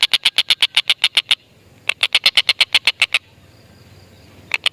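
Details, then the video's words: Stork-billed kingfisher, played so lovebirds start calling: bursts of quick, scratchy 'kek' notes, about six a second, separated by short silent pauses, with a brief fresh burst at the end. "Tengkek Buto Gacor Masteran Burung Lovebird"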